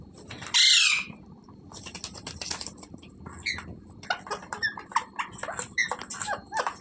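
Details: Parrot letting out a single loud, rasping squawk near the start. Scattered short chirps and clicks follow through the rest of the recording.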